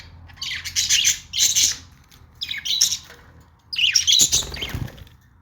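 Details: Budgerigar chirps among pet birds: four bursts of bright, twittering chatter, each under a second long, spaced by short pauses, with a soft flutter of wings near the end.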